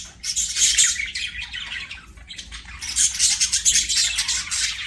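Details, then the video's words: Pet budgerigar chirping: dense scratchy warbling chatter in two bursts, high and buzzy with sharp squeaky notes, a brief pause between, a faint low hum beneath. "BUDGIE CHIRPING SOUNDS"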